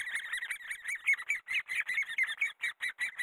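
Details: Great spotted woodpecker while raising young: a fast, scratchy series of squeaky notes, some overlapping, repeated roughly twice a second. Louder pulses come toward the middle, with brief silent gaps near the end.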